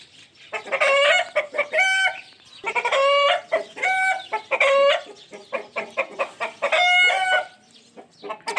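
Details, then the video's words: A pet ringneck parrot gives loud, nasal, ringing squawks about a second long, repeated every couple of seconds, with shorter cackling, hen-like notes in between. "sounds of my Ringneck parrot"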